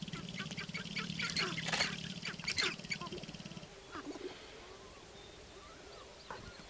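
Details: Sharp-tailed grouse at a lek in Northern Wisconsin, April 29, 2021. A fast, buzzy low drumming lasts about three and a half seconds with loud cackling chirps over it, then fades to scattered calls.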